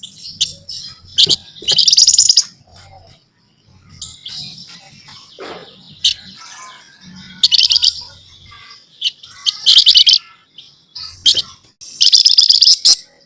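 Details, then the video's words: Harsh, buzzy rattling bursts from a scaly-breasted munia in noisy nyerecet chatter, repeated in several bouts with softer twitters between, over a steady low hum. "Burung FLAMBOYAN GACOR Nyerecet Cerewet Merepet"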